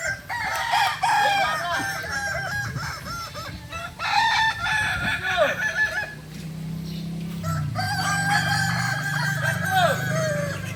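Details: Kokok Balenggek roosters from Solok, West Sumatra, at a practice gathering: repeated long crows with stepped, wavering pitch overlap one another, and a low engine-like hum runs through the second half.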